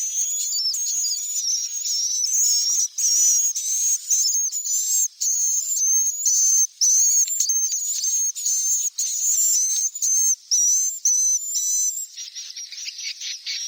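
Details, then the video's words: Swiftlet chicks calling, used to attract swiftlets to roost: a long, high, wavering squeal that runs almost unbroken with tiny cuts, then ends in a softer patch of scratchy ticking. "SUARA WALET ANAKAN"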